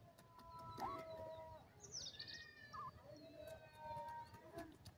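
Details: Francolin (called Irani or Dakhni teetar) gives drawn-out whistled notes, some with a quick rising twist, and a few thin high notes, over steady background hiss.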